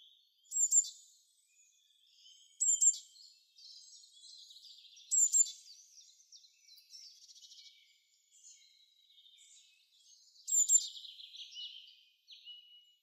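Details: Spring forest chorus of a songbird singing to attract females: four emphatic high whistled bursts roughly every two to three seconds, separated by busy, buzzy twittering and rapid chatter.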